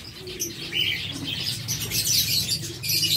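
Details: Several zebra finches at a breeder's setup chatter in harsh, nasal, buzzy bursts that overlap continuously over a low steady hum.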